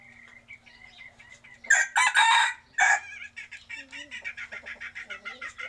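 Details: A rooster crows loudly in a few harsh, broken bursts. Chickens then keep up rapid, rhythmic clucking, several pulses each second.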